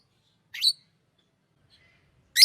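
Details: Green Fischer's lovebird kept as a pet, giving two short, harsh, high chirps about two seconds apart, with silence between them.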